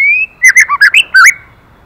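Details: White-rumped shama, female stimulating the male: a rising whistle followed by a loud, fast sequence of six rich warbled and chattering notes.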